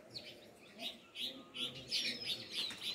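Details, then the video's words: Sparrows chirp in pulsing bursts, loud bright notes coming about every third of a second, building louder toward the end with layered twitters behind. "Sparrow (Birds) Chirping Sound"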